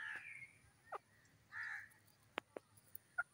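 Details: Grey francolin in a forest setting giving two rough, strident call notes about a second apart, followed by sharp clicks and a brief chirp from other birds.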